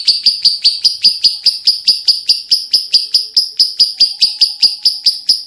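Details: Lovebird kept as a pet, calling without pause until dawn, giving sharp piercing chirps in a steady pulse of roughly three or four per second, each note clipped and metallic.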